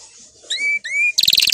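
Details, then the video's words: Canary training song: two clear slurred whistles that rise and hold steady, followed by a burst of rapid bright trilling notes. "Canary 's most powerful song for training"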